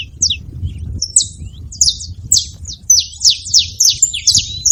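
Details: Saffron finch giving a rapid series of sharp, high, downward-slurred chips about three per second, the notes bunching into fast runs in the second half, over a low rumble of background noise.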